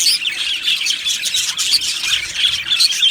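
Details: A brief stretch of budgerigar aviary chatter: overlapping warbles and several clear, short whistled squeaks over the steady chirping of the colony.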